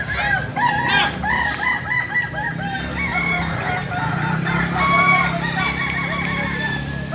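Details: Native chickens of the Kukuak Balenggek breed, Solok, West Sumatra, crowing in a chorus: many stacked, wavering crows run on almost without pause, along with low background rumble.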